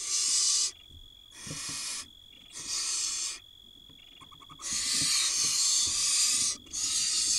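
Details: Begging barn owl nestlings being fed by their mother while a tiny chick swallows a mouse; loud wheezing screeches of varying length, the last one stretching nearly two seconds, with soft rustling between calls.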